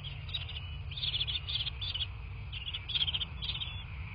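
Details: Bald eagle at its nest in a quiet landscape of southwest Florida, picked up by a nest camera at 23:19 on 13 March 2024: bursts of quick, high chittering notes in short clusters, over steady low rumble.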